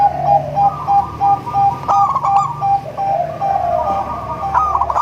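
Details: Zebra dove of local crossed Bangkok stock, melodious song meant to attract other zebra doves: evenly repeated short coo notes, a brief rolling trill near two seconds, then softer continuous cooing with low hum.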